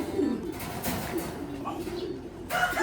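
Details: Pigeons from Japan kept in a loft, several birds giving low murmuring coos that swell and fade, a brief higher sound near the end, with background room noise.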